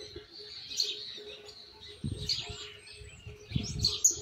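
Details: Argentine white goldfinch chick working on its "misisipi" song, base learned but rough; ongoing high, thin warbling with occasional sharp piercing notes, plus low thuds around the middle and end.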